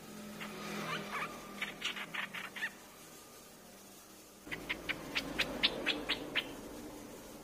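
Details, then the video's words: Streak-eared bulbul calls used as a bird lure. Two bouts of short sharp chips repeated about twice a second, the second bout louder and clearer after a pause, with low background hum. "เสียงนกปรอดสวน เสียงต่อปรอดสวน"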